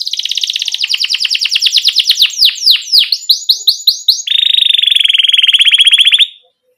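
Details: A canary delivers rolling 'ngerol jeda' song meant to prompt young canaries to sing sooner. Rapid high trills give way to sweeping downslurred chirps, then a long, steady, lower buzzy roll that stops abruptly.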